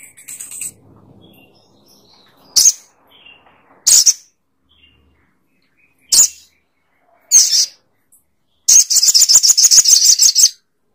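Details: Sogok ontong bird giving single sharp, high explosive notes every second or so, ending in a fast stuttering rattle of repeated harsh notes.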